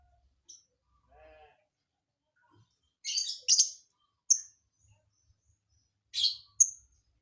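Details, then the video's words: Strange isian filler song from a lovebird: a cluster of harsh, dense chatter, then a clear rising whistle, and later another chattering burst followed by a sharp whistled note. "Burung lb isian aneh"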